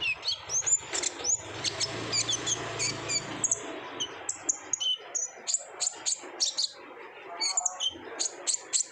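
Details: Busy stream of shrill, very high tweets and short sweeps from an olive-backed sunbird singing 'gacor ngobra' style, a lure to get raw birds singing regularly; notes come in fast, even succession.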